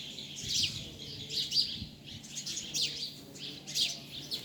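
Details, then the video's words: Outdoor bird chorus of bright high chirps and quick descending whistles, roughly one burst per second, with soft low rumble beneath. "Amazing Bird sounds"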